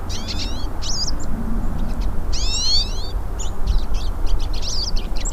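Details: Several hooded siskins singing in the wild: bright twittering song of fast, high, slurred whistles and trills in short bursts, over a steady low rumble of background noise.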